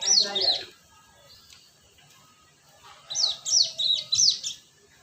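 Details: Cinereous tit lure sound for attracting birds: a short burst of loud, high, sharply rising-and-falling whistled notes, then about two seconds of quiet before another rapid series of four to five bright notes.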